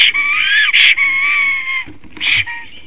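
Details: Black stork (Ciconia nigra) in Latvia, a bird named Kaupo returning home, singing at 9:36 AM on 13 April 2019: a long, wheezy whistle of nearly two seconds broken by a brief harsh burst, then a shorter wheezing note.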